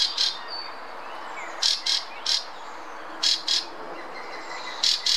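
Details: A Fieldfare singing in the Munich Botanical Garden gives harsh, squeaky chattering bursts in twos and threes, about every one and a half seconds, with faint thin whistles from other birds behind.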